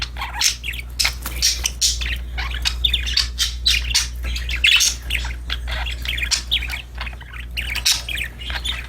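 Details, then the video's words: Pet budgies chatter continuously with dense scratchy chirps and warbling squawks over a constant low hum. "Happy Parakeets Chirping Sound #budgies Singing, Playing"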